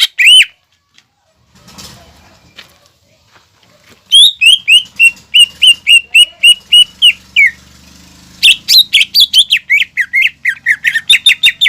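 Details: Greater green leafbird singing, meant to prompt young leafbirds to sing: a brief whistle, a quiet stretch, then long, rapid series of clear, falling whistled notes, with a varied, tumbling phrase at the end.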